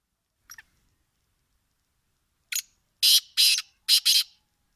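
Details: Winter call of a black francolin. A brief thin note opens, followed after a pause by four rasping, buzzy notes delivered as two quick pairs. The surroundings are otherwise quiet.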